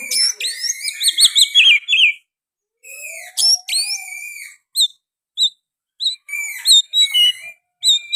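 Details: Oriental magpie-robin singing vigorously, its song filled with sooty-headed bulbul phrases. It gives rapid, trilled, warbling whistles, then steep upslurred notes, a sustained whistle and a run of short, separate chip-like whistles with brief pauses.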